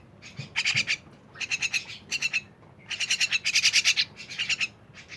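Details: Myna giving bursts of rapid, scratchy pulsed notes in clusters of three to eight, separated by short silences, the loudest run coming late in the sequence.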